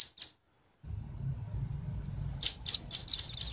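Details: Velvet-fronted nuthatch pair, male and female, calling as a lure for wild birds: two isolated sharp high chips, a pause with low background rumble, then a short quickening series of high clipped notes.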